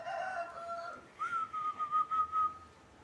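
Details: Local zebra dove, a caged bird in Indonesia, in full song: a steady whistled tone, then a run of quick, evenly pulsed cooing notes at one pitch, with a faint hum behind.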